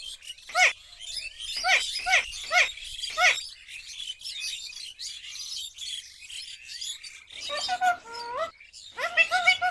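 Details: Pet Alexandrine parakeet giving loud, harsh chirps in short bursts, then a few whistled, talking-like phrases near the end, apparently saying "mummy roti do"; no other clear sounds.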